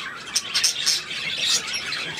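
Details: Pet budgerigar recorded on 8 December 2016, giving a short burst of scratchy, high chirps and squeaky warbling notes, with a few sharper peaks standing out from the steady chatter.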